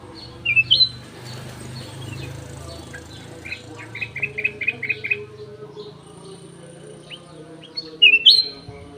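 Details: Golden-fronted leafbird kept in an aviary: loud looping whistles, then a quick series of five or six evenly spaced clipped notes, and the looping whistle again, over rumbling low background noise.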